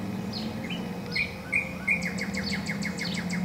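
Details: Spring 2014 northern cardinal song: a few separate slurred whistles and sharp notes, then a fast, even trill of clear down-slurred notes, with a low background drone.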